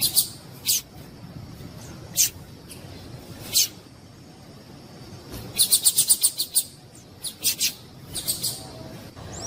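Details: Yellow-bellied seedeater female calling repeatedly to excite males. Scattered high, thin chips, then a rapid run of about six notes near the sixth second, followed by a few more spaced chips, against faint steady hiss.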